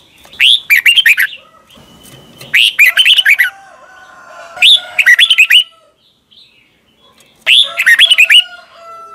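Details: Red-whiskered bulbul song meant for tutoring young birds: four bursts of bright, rapid, bubbly whistled phrases about two seconds apart, with a faint steady whistle and other birds behind.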